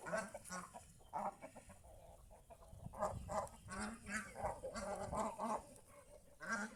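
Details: A flock of geese in the fields around a house keeps up honking and chattering; the notes are nasal and harmonic, about one a second, overlapping and uneven, over a low background rumble.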